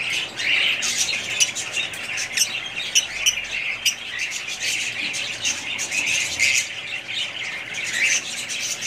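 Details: A family group of budgerigar parrots kept as pets, squawking and chirping together in a continuous, busy, scratchy chatter with frequent harsh notes and no break.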